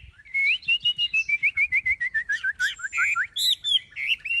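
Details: Chinese hwamei, a large captive bird with high wings, pours out a rapid even string of short whistled notes that slowly step down in pitch, ending in louder looping phrases.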